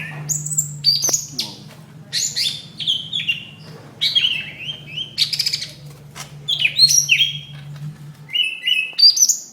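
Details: Greater green leafbird fighting call, recorded in May 2016, used as a tutor for other birds: varied, rapid, sharp whistled and chattering notes, many sliding down in pitch, with a steady low hum through most of the recording.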